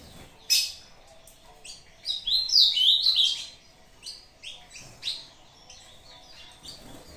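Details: Azulão, the ultramarine grosbeak, Brazuca style, delivers its short contest song against another bird on playback: a sharp opening note, then a bright run of warbling, slurred whistles, followed by spaced chirps.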